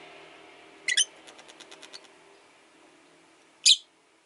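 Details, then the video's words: Caged rosy-faced lovebird on a perch, living alone since its partner died, gives a sharp harsh double chirp, a run of faint soft ticks, then another loud grating chirp near the end against low room hum. "Lovebird Chirping Sounds"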